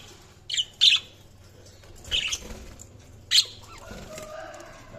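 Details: Budgerigars give brief, sharp, high chirps in four spaced bursts, with quiet low background hum between them.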